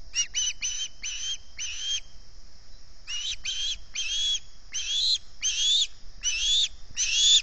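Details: Osprey at the Salt Point nest, calling from hunger in the early morning of 11 August 2020, caught by the nest-camera microphone. Shrill whistled chirps come in fast bursts of two to five, with a short pause midway.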